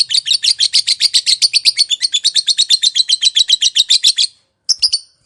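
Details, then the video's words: Lovebird in long 'ngekek' chattering, used to lure other lovebirds into calling: a fast, unbroken run of shrill, harsh chirps, about four per second for over four seconds, then a short break and a few more notes. "Suara Burung Lovebird, Memanggil, Yang Bisu Langsung Nyaut, Ngekek Panjang Gacor Respon Langsung"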